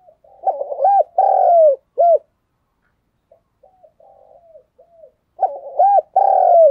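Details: Low, mellow spotted dove cooing meant to stir other doves into calling: a burst of quick stuttering notes, a drawn-out coo and a brief final coo, then faint soft notes and a pause before the phrase repeats.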